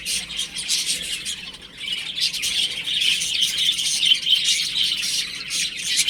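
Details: Chicks playing indoors at home. A steady chorus of thin, high peeps runs almost without a break and builds a little louder toward the end.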